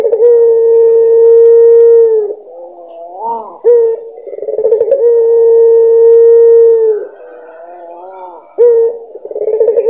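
A dove's drawn-out, steady low coo lasts about two seconds, then breaks into wavering, rising notes. The phrase repeats roughly every five seconds.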